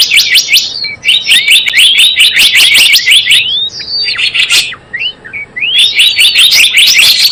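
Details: Java sparrow lure call used for bird trapping: dense bursts of sharp high chirps, rapid repeated clipped notes mixed with rising and falling slurred whistles, with brief pauses between bursts.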